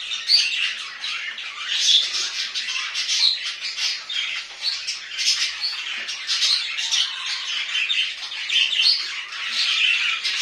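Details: A long spell of budgerigar chatter indoors: grating, squeaky warbles and short harsh squawks packed closely together, pulsing irregularly throughout.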